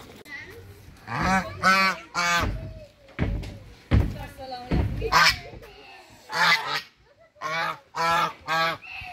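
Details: Hungry brown Chinese geese honking in a farm setting: loud, nasal, harmonic honks in quick bursts, roughly eight calls over nine seconds, some overlapping, with short quiet gaps between groups.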